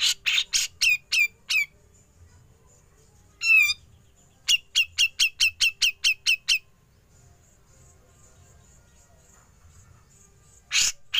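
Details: Grey-cheeked bulbul, used as a tutor recording for other songbirds, giving sharp, high, down-slurred notes in quick runs, a brief warbled trill, then about eight evenly spaced notes; otherwise quiet.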